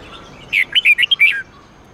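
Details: Red-whiskered bulbul performing the twisting 8-9-10 note song used to train captive bulbuls: a single lively phrase of six ringing, slurred whistles, bouncing up and down in pitch and closing with a longer falling note.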